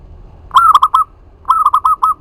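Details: Local zebra dove giving a lure song meant to provoke other doves to answer and raise their breeding drive: two bursts of mellow, stuttered cooing notes, each a quick chain of short rolling coos, over faint low background hum.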